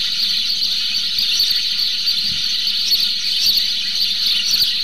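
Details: A young male house sparrow busy at his nest hole in the 2018 breeding season, with other sparrows around him, chirps in a dense, steady stream of high, squeaky notes that blur into one unbroken twittering.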